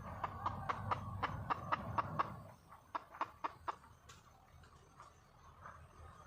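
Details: A wild red junglefowl hen calls for a partner with two short runs of staccato clucks, the first longer, the second of five notes, then quieter background with faint noises.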